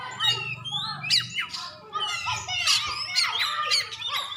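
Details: White-rumped shama, a champion contest bird from Aceh, delivering rich varied song of rising and falling whistled phrases mixed with harsh chattering notes, almost continuous, over a faint low hum.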